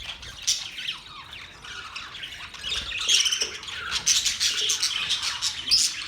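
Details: Chirping budgerigars begin quietly with scattered scratchy notes, then build into a louder, denser run of high twitters and squawks after about three seconds.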